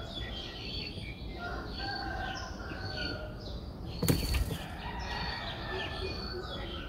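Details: Streak-eared Bulbul nestling aged six days, Ubon Ratchathani, Thailand, 8 April 2023: a series of high thin squeaky notes, broken midway by a brief burst of flapping wings, against low background rumble.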